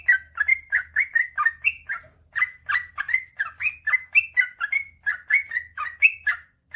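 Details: Yellow-vented bulbul singing a long unbroken run, meant to get sluggish birds singing: rapid rhythmic chuckling notes, some rising and some falling, with only one brief break.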